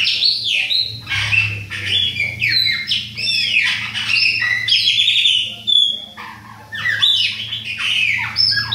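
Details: Adult and young Chopi blackbirds of the Bahia type pour out liquid whistles, sharp downslurred notes and clicking chips in quick varied succession, above a steady low hum.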